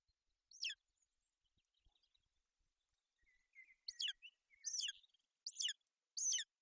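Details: A golden eagle family at a Bucovina nest on 28 May 2021, the female keeping her chick warm and dry in inclement weather. One high falling chirp comes first, then faint soft whistles, then a quicker run of four loud chirps.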